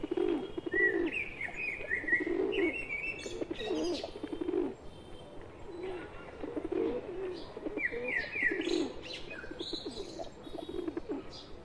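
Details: Pet pigeon among wild pigeons in India: low soft coos repeated through the clip, with higher chirping of other birds and steady background noise outdoors.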